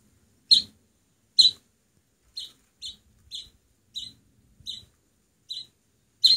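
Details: Oriental greenfinch chick on its seventh day after rescue, hand-raised until it can be returned to the wild, now feathered and energetic; short piercing chirps spaced unevenly, some louder than others, with faint low rustling between them.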